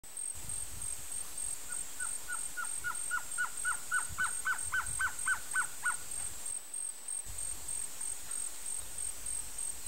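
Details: Male blue-crowned trogon calling: a long series of about fifteen short, hollow, evenly spaced notes that quicken and grow louder, then stop abruptly, over a constant high-pitched buzz in the background.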